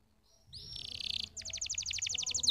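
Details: Canary heard more distantly: a thin whistle leads into a buzzy rattle, then a rapid pulsing trill of repeated high notes.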